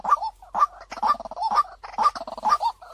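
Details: White-breasted waterhen decoy call used to lure birds, described as clear and quick to draw them in: harsh, nasal notes near the low-mid range, uneven and clustered, roughly two per second with short gaps.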